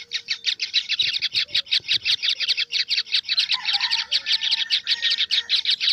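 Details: Kingfisher nestlings utter loud, quick, scratchy high calls packed closely together, a continuous harsh chatter with a faint thin whistle and soft thumps in the background.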